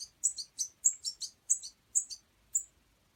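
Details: Young European goldfinch fledgling fed by hand while in care, uttering about eight sharp, high, squeaky chirps in quick succession, each a short double-edged note, with a calm background.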